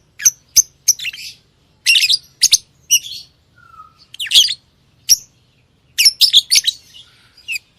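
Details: Lovebird chirping in shrill, high notes and raspy squawk bursts, with a brief soft whistle in the middle and a quick chattering cluster near the end.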